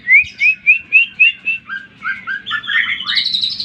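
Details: Song of the greater green leafbird, played to provoke other birds: six clear rising whistles in quick succession, then lower slurred notes and a busy, higher chattering finish.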